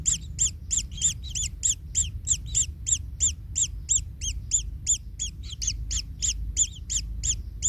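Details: Rapid rasping chirps from kingfisher chicks in the nest, roughly three each second, each note arched and shrill, continuing steadily while the parent treads on a chick; faint low rumble behind.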